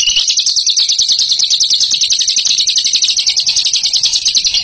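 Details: Rapid chattering trill from a bird praised as a ngekek champion, high-pitched and continuous, the notes rattling out at roughly three per second in pulsing bursts with no break.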